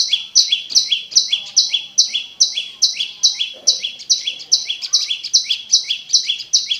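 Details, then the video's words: Steady olive-backed tailorbird (prenjak lumut) song used to stimulate caged birds that have stopped singing: bright two-part chirps, a high note falling to a lower buzz, repeated rhythmically about every half second, with faint background murmur. "SUARA BURUNG PRENJAK LUMUT DURASI PANJANG"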